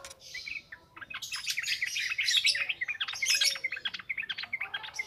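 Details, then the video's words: Nonstop yellow-vented bulbul singing meant as a lure for training birds, a busy stream of rapid bubbly chirps and rattling notes with few breaks. "SUARA BURUNG TRUCUKAN NGROPEL NGALAS"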